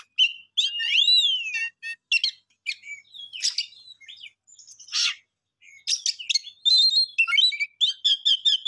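A songbird sings a quick, varied run of high whistles, slurred swoops, chips and buzzy trills, with short pauses between phrases and no other sounds.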